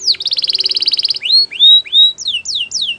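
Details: Canary in song: a rapid rolling trill, then slow rising whistled notes followed by three loud falling whistles in sequence.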